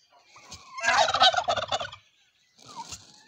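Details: Native criollo turkeys dancing in the Mixe region give a loud, rapid rattling gobble lasting about a second, followed by a softer, shorter burst of gobbling after a brief pause.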